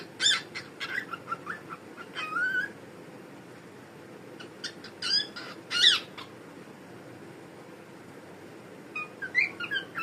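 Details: A pet cockatiel (Nymphicus hollandicus) talking, chattering in bursts of harsh, buzzy syllables mixed with sharp whistled chirps.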